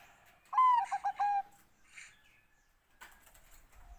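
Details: A single song phrase from a Bangkok zebra dove: a falling opening coo, then a rapid series of clipped notes closing with a sustained note, followed by quiet with faint background rustling.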